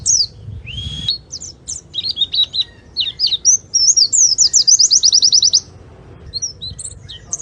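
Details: Oriental white-eye song for luring birds: a rising whistle, then jumbled high twitters leading into a rapid run of about a dozen sharp, evenly repeated notes before tapering to faint chirps.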